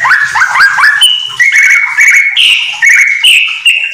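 A Yellow-vented Bulbul sings loud, bubbly phrases of quick rising slurs, then clear drawn-out whistles held at a steady pitch. No other sounds stand out.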